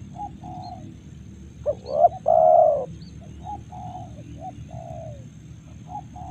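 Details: Spotted dove in Karawang rice fields in the morning, giving a loud, hoarse, two-part coo mid-clip, with quieter distant doves cooing repeatedly before and after over a steady low rural hum.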